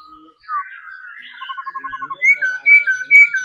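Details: Trained caged laughingthrush singing: short whistled slurs near the start, a quick even run of about nine piping notes, then louder rising-and-falling whistled phrases toward the end.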